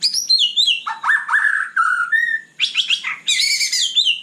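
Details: White-rumped shama singing at night: loud, varied phrases of sweet whistles, slurred notes dropping to lower tones, and sharp high chattering bursts, with brief pauses between phrases.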